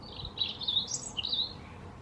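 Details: European robin singing in a forest: a run of high, thin warbling phrases that slide between notes, several quick bursts packed into two seconds over a quiet background.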